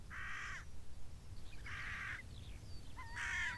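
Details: On a moor, a crow perched atop a beech tree gives three rasping caws spaced about 1.5 seconds apart against a low background rumble.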